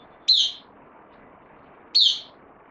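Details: Kept bulbul, new on loan, recorded 12 September 2020: two isolated, bright, falling chirps about one and a half seconds apart, otherwise quiet apart from faint hiss.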